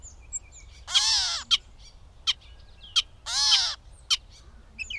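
Catbird giving two harsh, nasal, cat-like mews about two seconds apart, with short sharp chips and clicks scattered between them.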